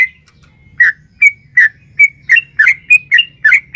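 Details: Long, vigorous song of a sooty-headed bulbul, a female calling a male, played to excite caged birds: quick liquid chirps and short whistles alternating in a steady, bouncing series. Soft low hum beneath.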